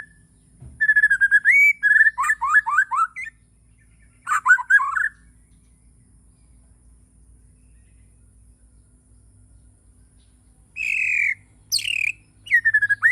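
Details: Morning song of a Bornean white-rumped shama: rich whistled phrases and quick descending slurred notes, a long quiet gap, then loud upslurred whistles; faint low rumbling background noise throughout.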